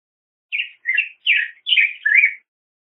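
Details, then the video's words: Black-headed grosbeak song of five rolling, husky warbled notes in steady succession, rich and mellow, ending on a rising-falling phrase; nothing else audible. "Picogrueso Pechicafé Canto - Black-headed Grosbeak Bird Song"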